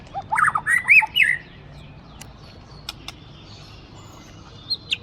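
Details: Caged white-rumped shama of Aceh origin, prized for its volume. One short, bright burst of rising whistled notes lasts about a second, followed by near silence with a couple of faint high ticks.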